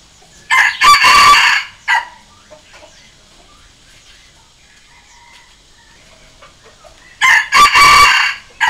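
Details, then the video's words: Two crows about six seconds apart from a Red junglefowl decoy rooster used to call and challenge wild junglefowl. Each has a short opening note, a long harsh sustained phrase and a clipped ending, with quiet between. "เสียงต่อไก่ป่า เสียงไก่สำหลับต่อ"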